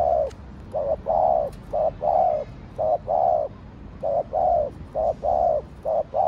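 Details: Spotted dove, known locally as cu gáy, producing rapid low coos in pairs of short and drawn-out notes, steadily repeated with brief gaps, close and clear.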